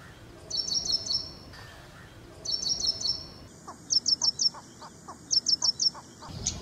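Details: Short high trilled phrases from an Ashy prinia, several quick notes each, repeated in spliced sections, alongside softer, lower ticking notes at times.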